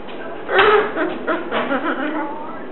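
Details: Pet Catablue macaw talking while watching TV: a loud opening syllable followed by a quick string of softer, mumbled voice-like sounds.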